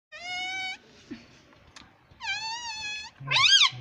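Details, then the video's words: Pet rose-ringed parakeet talking indoors, saying words like mummy and papa: two level, steady tonal syllables followed after a pause by a wavering, bending note, with faint room noise between. "Mummy Papa Bolunga Meto || Parrot Talking || Bolne wala tota"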